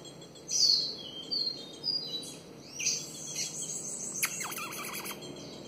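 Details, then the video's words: Female Ultramarine grosbeak asking to mate, giving several thin, high, slurred chirps spaced about half a second apart, followed by a quick burst of clicky notes running into a short wavering trill. "Azulão fêmea pedindo gala"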